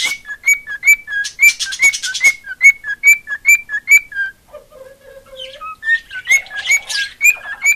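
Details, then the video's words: Pet cockatiel, female, whistling a rapid regular run of high-then-low notes, with breathy noise over some, a lull of low murmured tones, then the whistled pattern returns. "Marigold Singing"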